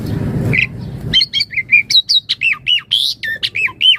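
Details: Javan pied starling used as a master song and lure: after a short noisy start, a rapid run of squawky, looping whistled notes, about two per second, rising and falling, bright and insistent.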